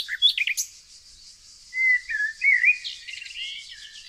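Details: Nightingale singing among yellow flowers in the evergreen forests of Tonekabon, Mazandaran province, northern Iran; a few sharp opening notes, then slurred whistled phrases rising and falling, over a steady high chorus of other birds.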